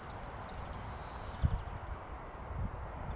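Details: European stonechat singing at Hengistbury Head on 21 March 2019: one rapid phrase of high, jerky twittering notes at the start, then low wind noise and a brief thump.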